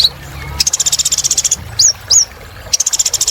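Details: High, rapid buzzing trill from a kolibri ninja sunbird in vigorous song, used to prompt other birds to sing: one long pulse run, two quick rising whistles, then another trill begins.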